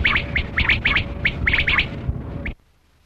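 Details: Brief burst from a Kali Kirak quail linked to hunting: rapid, sharp, chirpy clicks, about four per second, stop abruptly, followed by silence.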